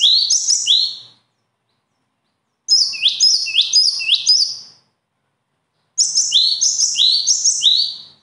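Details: A bird sings three loud bursts of high, rapid chirping, each about a second long, built from quick downslurred and rising notes, separated by silent gaps of one to two seconds.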